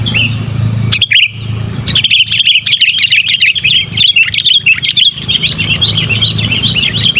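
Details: Sooty-headed bulbul calling loudly and persistently, used to lure wild bulbuls and to tutor caged birds; quick runs of bubbly, chattering notes pour out almost nonstop from two seconds on, over a low steady hum with brief clicks early.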